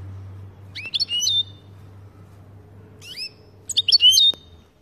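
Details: European goldfinch making "pat pat" calls meant to excite another goldfinch; clusters of sharp, high tinkling chirps with rising and falling slurs, a short pause, then a louder closing burst, with faint background hum.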